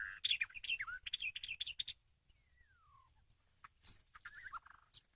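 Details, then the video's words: White-rumped shama song used as a lure: a quick run of twittering, warbled notes, then a soft descending whistle, near silence, and a few scattered sharp chips and short phrases. "pikat burung murai batu"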